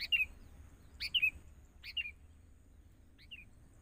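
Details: Wild-caught young sooty-headed bulbul being trained alongside a decoy bird: four brisk chirpy phrases roughly once a second, each a sharp note dropping into a slurred twitter, fading at the end; faint low background rumble.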